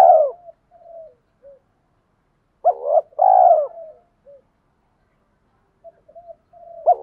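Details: Spotted dove male and female calls used to stimulate captive doves to coo: deep, soft coos in short bursts, a doubled louder phrase midway and brief quieter notes between, on an otherwise silent background.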